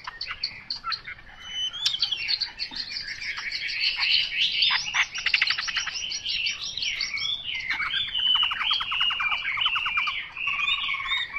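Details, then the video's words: Chinese hwamei giving a long, rambling song of rapid trills, buzzy rattles and twisting whistles, slightly distant, over faint background hiss. "Họa mi mộc dở"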